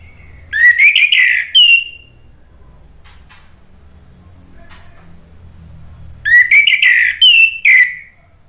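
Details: Orange-headed thrush delivering its lively 'gacor' song to stir other thrushes into reply. Two separate phrases of warbled, chirping whistles, each about one and a half seconds long, set apart by roughly four seconds of quiet.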